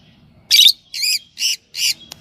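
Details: Four evenly spaced harsh shrill squawks from a yellow Fischer's lovebird pair, each about a quarter second long, ending with a click.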